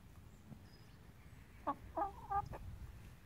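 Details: Chickens let out of their coop for the first time, enjoying themselves outdoors; three short clucks in quick succession near the end, each with a few stacked tones, over a low rumbling background and faint high bird chirps.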